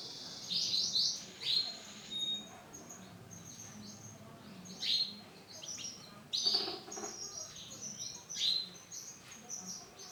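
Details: Male canary, orange and black colour variety, singing in bursts of high chirps, trills and clipped notes separated by short pauses, with faint low background hum.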